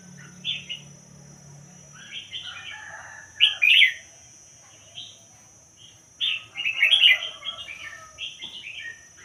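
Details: Red-whiskered bulbul, a caged Thai songbird of the pied-head strain, gives scattered short chirps and then bursts of rich, rapid warbling, louder toward the end, with a faint low hum beneath.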